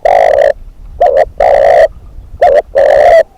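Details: Decoy spotted dove cooing steadily: low, hollow notes in quick succession, pairs of short coos alternating with longer sustained ones, filling nearly every moment with few pauses.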